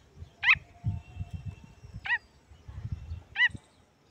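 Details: Pheasant chick voice: three clear, high, down-curving peeps about one and a half seconds apart, heard above a low, mottled background rumble.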